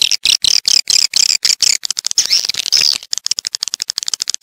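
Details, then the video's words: Swiftlet calls played to attract swiftlets to a bird house: a fast, steady stream of sharp high chirping clicks, several per second, with short buzzy twittering runs in the middle. "ÂM THANH GỌI CHIM YẾN ĐẶC BIỆT VÀ TĂNG ĐÀN NHANH"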